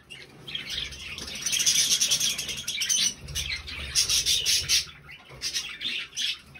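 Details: Three budgerigars, recorded on 20 November 2020, chatter together in a steady stream of high, scratchy chirps and twittering notes that swell, pause briefly, then resume.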